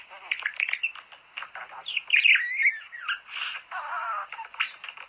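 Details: Budgerigar warble meant to stimulate mating, a continuous stream of chattering clicks, squeaks and short whistled slurs, loudest around two seconds.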